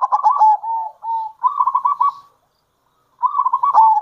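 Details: Zebra dove, a local bird used to lure others, giving rapid rolling coos and pulsed trills in phrases, then a brief silence before another trilled phrase.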